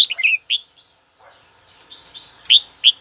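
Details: A red-whiskered bulbul calls out to a rival with a burst of bright, slurred chirps. A short quiet stretch follows, then two sharp, loud whistled notes.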